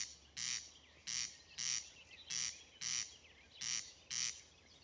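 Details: A corn crake, one of Norway's rarest birds, sings at Inntjore in Grimstad: its dry, rasping crex-crex song of harsh, scraping double notes, seven rasps in about five seconds, against a quiet background.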